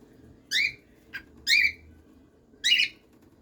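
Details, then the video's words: Cockatiel at home giving repeated harmonic whistled calls, roughly one per second, with a short faint chirp between the first two. "canto de cacatúa ninfa"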